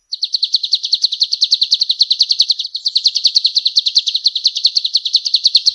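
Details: Male golden-bellied gerygone singing tirelessly, a continuous high-pitched trill of quick, crisp notes repeated evenly for the whole stretch.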